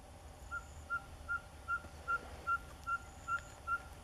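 A ferruginous pygmy owl gives a steady series of short, mellow whistled toots, about two or three each second, over a faint low rumble.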